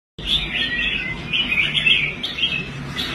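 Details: Caged competition red-whiskered bulbul, once a bird that quit competing, now restored and performing well on the show rack: quick warbled, chattering phrases pitched high, run together almost without pause, with a low background hum.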